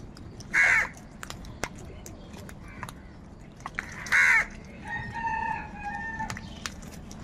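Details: Crows calling: two short, harsh, hoarse caws about three and a half seconds apart, followed by a thinner, drawn-out tonal call, over a steady low background hum with scattered clicks.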